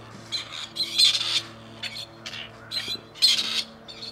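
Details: Scratchy, hoarse grey partridge notes from one of two wild males at Tullow, released earlier and now returned seeking females. About five rough bursts follow one another quickly over a low hum.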